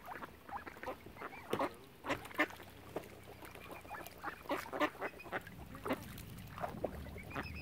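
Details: At Lough Neagh's Oxford Island in Ireland, ducks surrounding a family of swans utter irregular short harsh quacks, singly and in small bursts, over a low steady background murmur.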